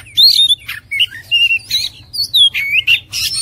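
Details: Oriental magpie-robin singing a lively varied phrase of clear whistled notes, some rising and some falling, broken by short scratchy bursts, in a quick series of separate notes with a faint low hum beneath.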